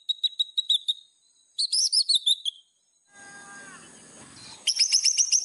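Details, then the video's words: White-rumped shama master song for training: choppy whistled chirps, a burst of twittering, a noisy rustling gap, then a loud high jumbled chatter. "MASTERAN MURAI BATU GACOR !!! FULL ISIAN LANGSUNG EMOSI !"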